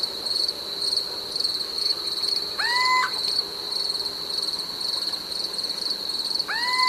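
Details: Little owl (Athene noctua) territorial song, in Portugal: a clear, rising, slightly mewing hoot repeated about every four seconds, regular in sound and interval, over a steady high cricket trill; recorded at night.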